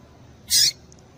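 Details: Female double-collared seedeater calling to excite the male: a single short, sharp, high-pitched chip lasting about a quarter second, against a quiet background hiss.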